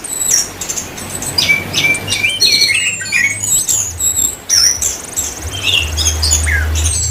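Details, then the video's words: Orange-headed thrush from Indonesia singing gacor, nonstop and lively. Bright twittering, clipped chirps and drawn-out high whistles tumble together, with a low hum in the background. "anis kembang gacor"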